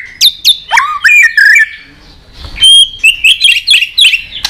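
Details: A white-rumped shama sings in a many-voiced style with a long song string, flicking its tail. Loud, sharp chirps and slurred whistles, a brief pause, then a fast run of bright, warbling high notes.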